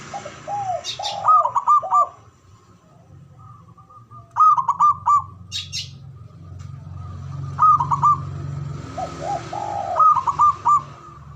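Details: Male zebra dove giving ngoar manggung cooing, meant to stir mating arousal: bursts of quick, clipped hollow coos near one pitch, three or four per phrase, repeated every few seconds, with fainter lower notes and a steady low hum behind.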